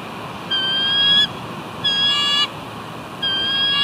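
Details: Pair of eagles at their nest at the West End on 29 March 2019, guarding it from something before both fly off. Three high, squeaky calls, each lasting just under a second, with steady background hiss.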